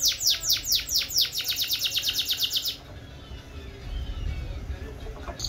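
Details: Yellow canary gives a rapid regular trill of sweeping downslurred notes, about seven per second, for nearly three seconds, followed by quiet background hum and a faint whistle.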